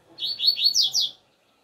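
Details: Double-collared seedeater singing outdoors, song style called coleiro alegria tuí tuí zeo zeo: a quick one-second phrase of high whistled slurs, first rising notes then several steeply descending sweeps, against a quiet background.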